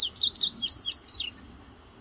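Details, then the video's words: Indigo bunting, recently returned in spring, singing on a West Virginia morning, June 8, 2023: a short phrase of high, sweet paired chirps and downslurred notes lasting about a second and a half. "Indigo Bunting Singing to Me This Morning"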